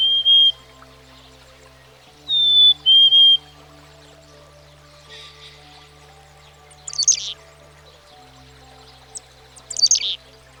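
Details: Black-capped Chickadee, common in American backyards, gives pure whistled two-note phrases, high then lower, twice, followed by two short bursts of sharp, buzzy chattering calls, with gentle background music throughout.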